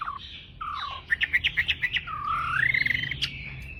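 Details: Tame Chinese hwamei singing at dawn during a song contest: varied whistled phrases with a fast run of clipped repeated notes, then a long wavering, rising whistle and a loud sharp note at the end.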